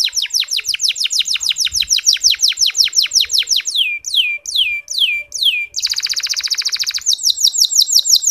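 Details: Canary (Serinus canaria) song used to encourage listless males to sing: quick tours of high sliding notes, a rapid run of down-slurred chirps, slower falling whistles, a dense buzzy trill, then bright repeated notes.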